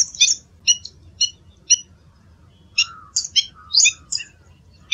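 Black-winged Stilt giving sharp, high yapping notes about twice a second, then a quicker run of calls mixed with lower, slurred notes.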